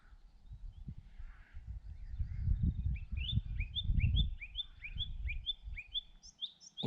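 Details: Eurasian skylark singing from bushes near Minninglow Hill in the Peak District: a rapid run of bright, high chirping notes several a second, rising at the end, over heavy wind rumble; another skylark and a song thrush also present.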